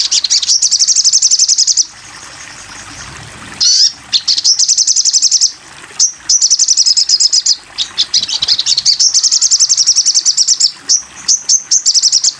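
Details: Sogon bird in a masteran (tutor) recording: long, very high, rapid chattering trills in repeated runs of one to two seconds, with short pauses and sharp slurred notes between them.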